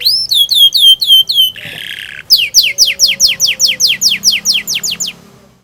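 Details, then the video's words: Canary song intended to train young birds to sing: a run of quick swooping whistled notes, a short harsh rasp, then a long series of steeply descending whistles at about three per second, loud and clear. "Burung kenari gacor panjang Cuit Cuit ngerol Pancingan Kenari Paud belajar bunyi"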